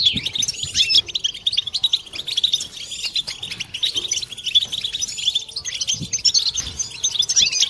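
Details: Several European goldfinches in collective twittering for curing silent birds and stimulating females: bright, crowded chirping and jingling notes form an unbroken high wash, with scattered soft thuds below.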